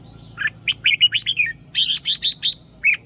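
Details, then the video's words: Red-whiskered bulbul, a caged bird offspring of a prized sire, singing as a decoy for trapping. It gives a doubled phrase of quick, bright, warbled and whistled notes in rapid bursts, with a clear final chirp. The background is quiet. "เสียงนกกรงหัวจุก เพราะๆ"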